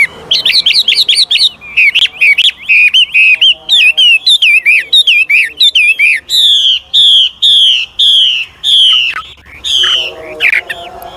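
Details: Old wild-caught Chinese hwamei, singing to encourage newly caught birds to sing. A loud, rich run of varied whistled phrases, rapid trills and slurred notes, repeated with frequent changes of tone and almost no pauses.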